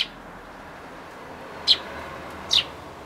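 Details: Eurasian tree sparrows at a bird table chirp while eating, giving two short, high chirps about a second apart over a quiet background hiss; recorded 24 May 2013.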